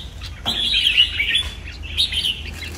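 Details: Two short, loud warbled phrases from a caged red-whiskered bulbul: a sliding whistled run followed by a softer, bubbling second phrase, with a brief tap before the song and a soft low hum.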